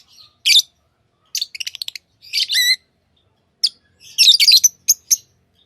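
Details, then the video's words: Tamed lovebirds give shrill high chirps in uneven clusters: a sharp note, a quick stuttering run of short peeps, a twisting squeaky phrase, then a busy tumble of overlapping chirps and single squeaks, in a quiet room. "Love birds Sounds | lovebirds chirping sounds"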